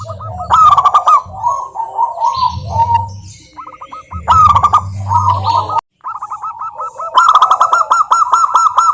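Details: Local zebra doves recorded as a lure for silent doves: loud staccato coo bursts, overlapping runs of quick bouncing coos from several birds, and a long even series of crisp repeated coo notes at the end.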